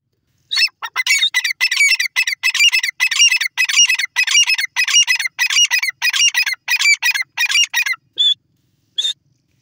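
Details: Female grey francolin calling: a fast run of harsh, loud, squeaky notes repeated about twice a second for roughly seven seconds, then a short pause and two isolated notes near the end.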